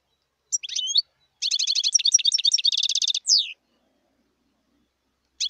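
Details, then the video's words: A wild European goldfinch sings a lively twittering phrase: scattered opening notes, then a long fast sequence of bright chirps and a buzzy trill, closing with a descending nasal note. Quiet otherwise. "صوت الحسون البري"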